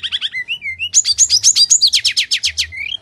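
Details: Bali myna singing in full fighting mode, used as a lure for birds that are slow to sing: sliding whistles, then a fast, loud run of sharp, descending high chirps repeated about four times a second, over a faint low hum.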